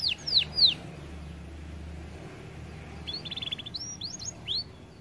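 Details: Overweight canary, said to be reluctant to sing because it is too fat, giving a few sharp descending chirps early on, then a brief rapid buzzy trill and scattered whistled sweeps after a long quiet pause, over low steady hum.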